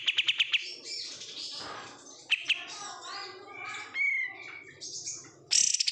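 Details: Oriental white-eye kept in a cage after being bought as a wild-caught bulk bird, giving a busy high twittering song: rapid rattled trills at the start and end, with mixed chirps, slurred notes and a bright whistled phrase in between.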